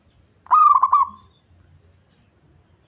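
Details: Zebra dove, a local bird with a deep voice used as a lure for trapping birds, giving one quick cooing phrase of a sharp start and four fast rolling pulses, then fading, in a quiet setting.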